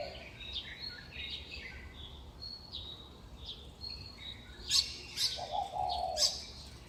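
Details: Morning chorus on utility poles in a Taipei neighbourhood near National Chengchi University, recorded May 2019 at about 5:25 am: mostly thin, high chirps and short whistles, a few loud sharp notes, and one brief low coo.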